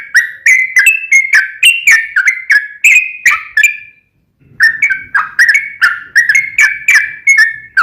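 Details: Sooty-headed bulbul singing energetically, played as a lure to get a caged bulbul to respond: a steady series of short, bubbly whistled notes that rise and fall, with a brief pause midway before the string resumes.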